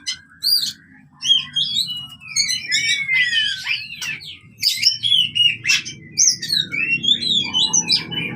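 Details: Oriental magpie-robin fighting song for birds that have stopped singing: a lively mix of clear sliding whistles and sharp chirps, over a low rumbling background hum.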